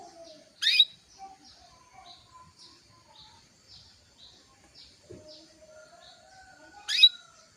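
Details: Female canary calling to excite a male into breeding mood so he sings sooner; two strong chirps six seconds apart, separated by a steady run of faint, short tweets.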